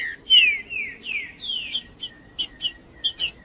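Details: Trinca-ferro, the green-winged saltator, singing 'macheando' as a warm-up for other birds: a run of clear whistled notes sliding downward, one after another, then a series of sharp high chips every few tenths of a second.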